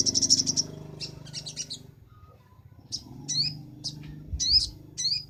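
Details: Sunbird song used as a master recording for training other songbirds: a bright high buzzy trill, then separate sharp chirps and rising whistled notes with short gaps, over a low steady hum.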